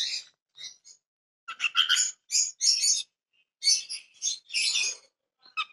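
A cockatiel sings a run of bright, chattering whistles and warbles in quick irregular bursts.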